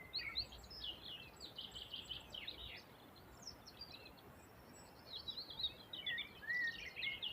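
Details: Wild birds singing by a river: bright, quick chirps and twittering phrases, some rising and falling, overlapping from several birds, set against a steady rushing hiss of flowing water.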